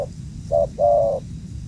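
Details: Wild spotted dove with a booming voice: a clipped coo, then a short hoot followed by a longer, level low coo, against a faint background rumble.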